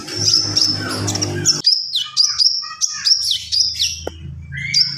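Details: Javan pied starling (konin) in 'gacor full isian' song: a rough, noisy opening, then a string of sharp, high whistled notes repeated about twice a second, each one dropping at its end.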